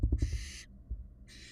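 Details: Barn owl fledglings in a Florida nest box, 2022; a long rasping hiss of about half a second and the start of another, after a few low thumps and knocks, with steady background hum.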